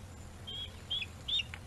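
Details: At a webcam-monitored nest on Gabriola Island, a bald eagle mantles prey as a younger bird waits to snatch it. Three or four sharp, high chirps, each a short whistle with a quick downward flick, sound above a faint low rumble.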